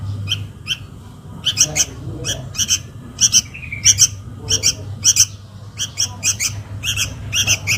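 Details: Lure sound of a young sooty-headed bulbul calling its mother: harsh chirps in small clusters, repeated irregularly, with a brief downslurred whistle midway and a steady low hum.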